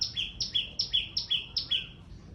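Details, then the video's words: Very loud small bird: several sharp double chirps, a high piercing note dropping to a lower tone, repeated rapidly and evenly before trailing off into quiet. "Make a loud noise🐦ส่องนกน้อย"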